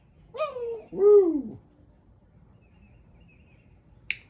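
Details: A pet female Congo African grey parrot, chatty at home while wearing a poncho against feather plucking, gives two drawn-out voice-like notes, the second arching and falling away, then after a pause a single sharp click.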